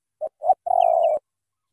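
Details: Single thổ tơ phrase from a spotted dove of Cà Mau, Vietnam: two short low notes followed by a longer, slightly pulsing coo. No other sounds.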